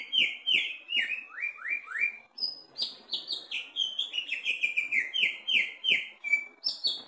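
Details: Greater green leafbird, a kept bird being tested, sings loudly a rapid, unbroken run of high, clear whistles, many sliding downward, with varied phrases and faint clicks beneath.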